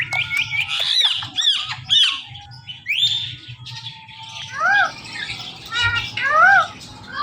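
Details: Indian ringneck parakeets, a pet male and female pair, giving harsh high squawks and rapid chattering notes, followed by several loud downward-arching screeches, against constant low indoor noise.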